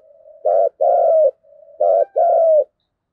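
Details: Spotted dove in thúc gù style with a local field-type voice, played to make wild doves call back: a soft low murmur, then a short coo and a longer slightly falling coo, the pair given twice.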